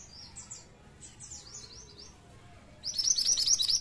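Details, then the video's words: Pied triller song used to lure other birds: a sequence of thin, high, down-slurred whistles, then a sudden loud burst of quick, bright rising notes packed closely together. "Burung Mantenan Gacor Ampuh pancing mantenan ombyokan"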